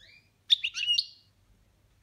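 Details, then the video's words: Pet European goldfinch giving one style of its boniments song: a single brief twittering burst of high chirps and trilled notes lasting under a second, ending in a short slurred whistle, with quiet low rumble before and after. "Chardonneret boniments"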